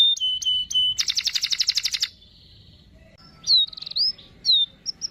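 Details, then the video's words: Chirpy canary in a long rolling song, used to lure a young canary into learning to sing: clear whistled notes, a rapid buzzy trill for a second, a pause, then rising and falling high whistles. "Kenari Gacor cuit cuit Ngerol Panjang ampuh untuk pancingan kenari Paud belajar Bunyi"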